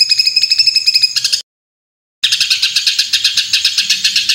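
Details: White-rumped shama song of rough 'shot' phrases: dense, harsh, rapidly repeated high notes, about four a second, broken by a short silence before the rattling series resumes.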